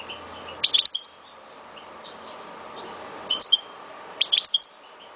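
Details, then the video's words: Caged Algerian goldfinch from Souk Ahras, Algeria, giving short clusters of high, bright twittering notes in three separate bursts, with quiet gaps and faint background hiss between them. "Chant de Mon Chardonneret De Souk Ahrass"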